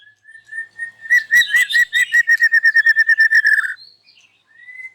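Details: White-rumped shama singing loudly in the morning and showing off its fill-in song repertoire: soft whistles, then a fast rattling series of about twenty sharp repeated notes, ending in a rising clear whistle.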